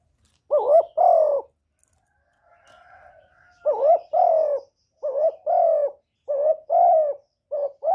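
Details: Decoy spotted dove cooing close up in a contest with a wild bird: repeated pairs of a short rising note and a longer falling coo, with a faint distant call between phrases.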